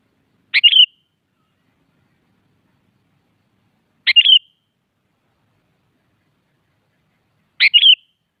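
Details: A Sooty-headed Bulbul, played to provoke rival bulbuls into answering, gives three short, bright, bubbly phrases, each a quick upward note and a few chirps, about every three and a half seconds, with silence between.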